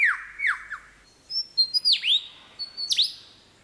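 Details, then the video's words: A lyrebird in forest, mimicking to out-sing rivals, gives three quick falling whistles, then sharp, high, down-swooping notes with thin whistles, imitating man-made sounds such as camera shutters, motor-drive cameras, car alarms and chainsaws. "Lyrebird Imitating Man-made Sounds in Forest"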